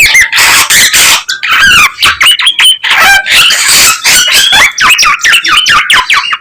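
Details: Young garugiwa (olive-winged bulbul) singing in a loud, dense run of varied whistled and chattering notes. The phrases sweep up and down with rapid, almost unbroken repetition.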